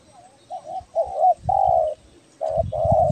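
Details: Calling spotted dove of the tekukur belah dada type from Kepri, used for luring: soft introductory coos build into long, full level coos, with low thuds beneath the later notes.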